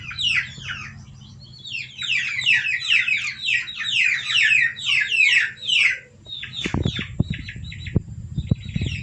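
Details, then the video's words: Domestic chicks peeping, played to lure civets and other wild predators into traps: a dense chorus of high, downslurred cheeping notes repeated rapidly, thinning out near the end, with low background rumble and a few knocks. "Suara Anak Ayam Buat Pikatan Musang"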